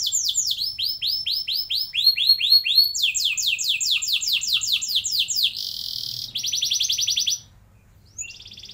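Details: Canary song with long rolls, played to encourage young canaries: chains of falling whistled sweeps in changing tours, then a harsh buzzing trill and a bright fast roll before silence and one brief note.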